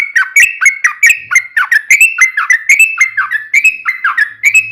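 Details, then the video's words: Yellow-vented bulbul in nonstop ropel song, meant to rouse other bulbuls to sing: an even stream of liquid, bouncing whistled notes, roughly three every second, with no pauses. "trucukan ropel panjang buat PANCINGAN TRUCUKAN agar bunyi"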